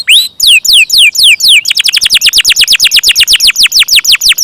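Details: Canary in full song with a long roll: a handful of sweeping downward whistles, then a steady, rapid run of short falling notes repeated many times a second.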